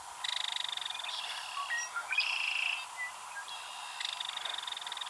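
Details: Wild belted kingfisher, a female in Missouri's Ted Shanks Conservation Area, rattling after a possible mate passed: long dry machine-gun rattle, a brief pause with a few softer notes, then another rapid rattle, against constant hiss.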